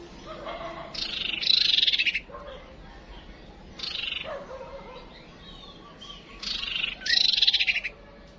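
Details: Female white-rumped shama calling, used as a decoy to quickly draw a male to the lure: three loud, bright, scratchy bursts about every three seconds, with fainter chirps between them over steady background hiss.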